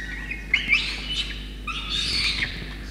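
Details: Peregrine falcon nestling, Orange, NSW, Australia, 5 November 2021, fed a soaked starling by wet parents. Two harsh, wheezy squeals, each under a second, with a sharp tick before the first.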